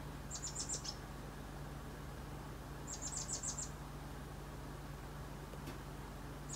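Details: Chestnut-backed Chickadee visiting a backyard gives two quick bursts of five or six very high, thin, sibilant notes a few seconds apart, over a steady low hum.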